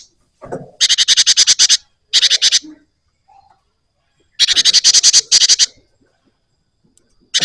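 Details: Java sparrow in vigorous rolling song: short bursts of fast, dry, high rattling chips separated by silent gaps, with a faint soft note between bursts.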